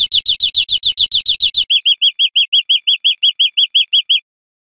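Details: Educational recording of wild European greenfinch song for cage birds: rough, rapid rich notes, followed by a clean, regular series of about fifteen high chirps.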